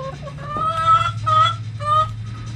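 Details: Backyard hen playing with a cabbage gives three clear, drawn-out nasal notes, each held about a quarter second, over a steady low machine-like hum.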